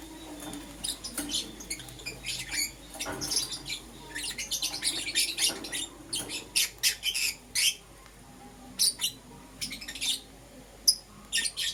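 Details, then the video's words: Euwing green opaline and lutino lovebirds chattering in the morning: dense run of shrill chirps and squawky notes, then spaced louder single chirps toward the end, light hum underneath. "Lovebird Chirping Sounds - Euwing Green Opaline & Lutino"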